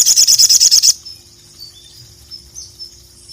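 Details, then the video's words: Ruby-cheeked sunbird, a songbird popular with Indonesian bird keepers, singing vigorously to call a rival: a rapid burst of about eight sharp, high, evenly repeated notes lasting under a second, then faint thin high whistles against quiet background. "KICAU SOGON GACOR MEMANGGIL LAWAN INI JITU BANGKITKAN EMOSI SOGOK ONTONG MANANPUN"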